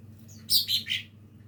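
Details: Lesser green leafbird, a young bird practising its song, gives three short, high, sharply falling chirps in quick succession against a low steady background hum.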